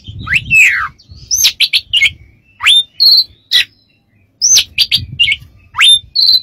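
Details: Oriental magpie-robin song meant for teaching other birds: sharp upward-sweeping whistles, a long falling slur, and quick high chips, about forty phrases a minute, over faint low background hum.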